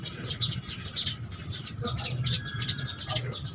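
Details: House sparrows at food put out for birds, giving a busy stream of short, bright chirps that overlap quickly, with a low steady hum underneath.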